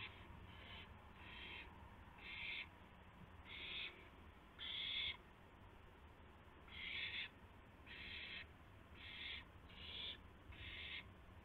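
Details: Night recording from 12:25 AM, April 7, 2016, of an owl during a gopher delivery with flapping and a pounce; short hoarse hissing screeches, spaced irregularly one to two seconds apart, louder mid-clip, with steady low hum behind.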